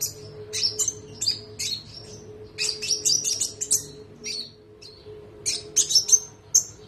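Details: Konin trotol in full song, used as a training recording for other birds. Quick high chirps and short whistles come in rapid clusters, with a gap near the middle, over a constant faint hum.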